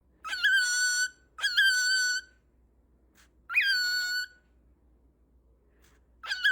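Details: Cockatiel calling indoors: harsh, rich-toned calls about a second long, each starting with a sharp upward note and then holding steady, repeated three times with pauses, plus a faint low hum underneath.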